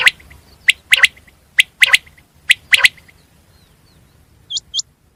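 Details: Common quail (batir) calling in sharp triplets, a clipped note then two quick ones, repeated about once a second, then a pause with two faint hooked chirps near the end.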